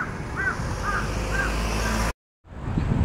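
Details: A crow gives four short, arched caws about half a second apart over a steady low rumble of traffic or wind; recorded 27 April 2015.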